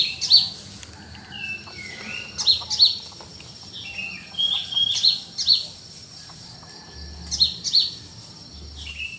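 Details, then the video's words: Cool countryside at dawn with birds calling: sharp high chirps in pairs and triplets, separated by short pauses, mixed with softer, lower twittering notes. "The atmosphere and sound of early morning birds in the cool countryside."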